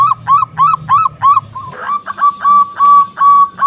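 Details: Local zebra dove with a loud voice, used to lure and agitate rivals. Rounded, repeated hooting notes at a steady pace give way to a smoother series of drawn-out coos.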